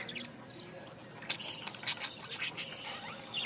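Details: Budgerigar in Bangladesh giving a run of harsh, scratchy squawks and chirps, about two a second, in a burst lasting around two seconds after a quiet start.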